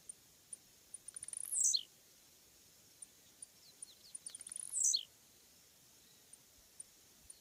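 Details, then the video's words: Blue-black Grassquit (Volatinia jacarina) singing: a rapid series of tiny ticks builds into a shrill buzzy downslur, given twice roughly three seconds apart, with sparse soft clicks between. "Cantos Del Arañero Silbón, Semillero Volatinero Y Pirincho."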